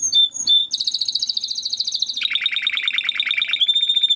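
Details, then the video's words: Timbrado canary singing a training song. A few short notes lead into a dense, high, rattling roll. The roll drops to a lower buzzy trill, and a thin sustained whistle ends the clip. "Υour canary will sing UNSTOPPABLY"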